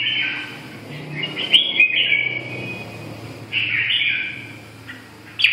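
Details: Red-whiskered bulbul giving long, continuous, chattering warbles in bright, fast bursts that rise and fall, with a short pause before the next run and a soft low hum behind.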